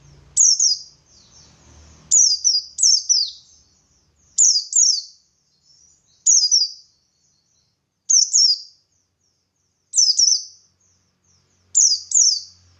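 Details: Buxtoni white-eye performing gacor ngalas song, a lure to make other white-eyes sing back: seven regular bursts of two or three high, thin, descending slurred whistles, each about two seconds apart, over faint low rumble.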